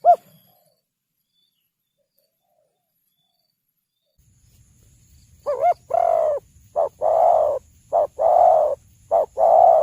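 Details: Spotted dove recording meant as a lure for hunting and trapping: after about five seconds of silence, a run of low, mellow coos starts, with a short double note followed by longer hoarse coos repeated with brief gaps.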